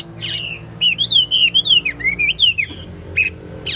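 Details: A caged Chinese hwamei, said to sing well, produces a smooth run of about ten looping, undulating whistles in steady rhythm, bracketed by brief buzzy chirps, over a low background drone.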